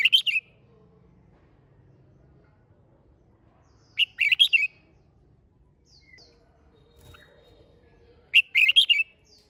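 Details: Red-whiskered bulbul singing in a rousing style meant to spur other birds to sing: three brief, rich warbled phrases, each of several quick bright notes, spaced about four seconds apart with near silence between.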